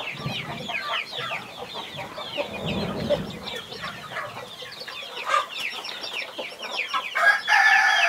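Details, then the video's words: Flock of 21 baby chicks beside their guarding mother hen, giving fast repeated sharp falling peeps, a low muffled thump partway through, and a short buzzy noise at the close. "Mother hen protecting her 21 Baby chicks"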